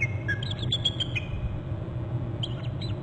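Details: A pair of wild bald eagles at their nest and territory on Hornby Island, recorded by a nest camera on 25 November at 11:19 as one flies in to a branch. Both give high, thin, rapid staccato notes in a chattering trill, then a shorter burst, over low rumble.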